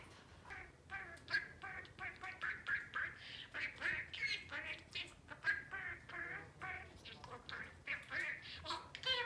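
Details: Pet albino budgie, a male around four years old that has learned many words, chattering on without a break: a fast, buzzy warble of rapid clipped syllables mixed with squeaky, word-like phrases.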